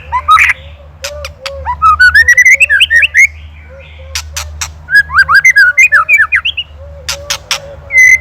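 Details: Varied ketrekan song of a white-rumped shama, Indonesia, used as a master for teaching songbirds: rising chains of clear whistled notes mixed with hard clicks and short low chattering notes, ending on a bright sustained whistle.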